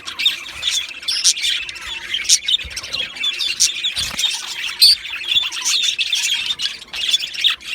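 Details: Steady busy warbling from two male budgerigars, Australian budgies: quick high twitters and scratchy chirps running together without pause, punctuated by occasional sharper squeaks.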